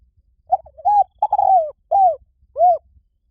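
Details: Spotted dove giving a low, mellow cooing phrase: short lead-in notes, a longer drawn-out coo, then two separate arched coos spaced about half a second apart over a quiet background.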